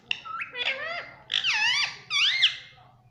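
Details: Ringneck parrot kept as a pet calling in a series of bending, wavering squawks, each about half a second long, rising then dropping in pitch, with little other sound.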